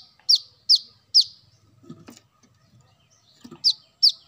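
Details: Brown-throated sunbird played to lure birds: three quick piercing descending chips, a pause with faint low clicks and knocks, then two more chips.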